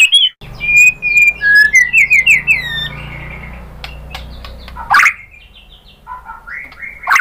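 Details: White-rumped shama lure song for provoking other birds to sing: a jumble of quick whistles and chirps, a quieter stretch, then sudden harsh bursts.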